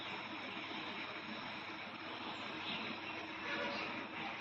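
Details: Steady broadband rumble of a vehicle or aircraft engine fills the recording, with no other distinct sounds.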